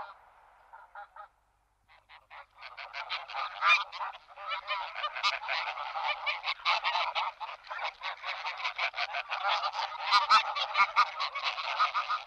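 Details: Greylag geese (Anser anser) recorded in Iceland in June–July 2015, giving a rapid chorus of harsh, nasal honks that overlap and build in intensity.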